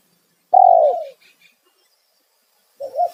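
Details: Spotted dove lure call used to attract wild doves: one loud, low, slightly falling coo followed after a pause by the start of another, in quiet surroundings.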